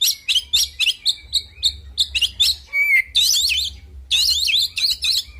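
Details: Oriental magpie-robin singing an aggressive fighting song: rhythmic repeated chirps that give way to a clear slurred whistle, then dense, buzzy, warbling chatter in fast rolling bursts.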